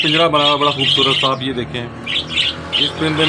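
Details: Budgerigars kept at PCSIR Society in 2022 chatter in quick, scratchy chirps and warbles, with a voice-like sound mixed in.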